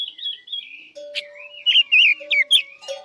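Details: Chinese hwamei of the Guilin type used as a trapping lure, a softer wavering whistle followed by loud, quick, looping whistled notes in close succession, a constant low tone running underneath.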